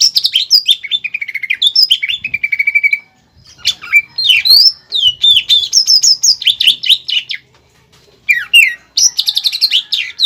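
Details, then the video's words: Master song of a greater green leafbird in top singing form, used to train caged birds and carrying a pelatuk bawang fill prized by contest judges. Fast, varied whistled notes and rapid trills come in bursts separated by short silences. "PANCINGAN DAN MASTERAN CUCAK IJO GACOR ISIAN MEWAH PELATUK BAWANG"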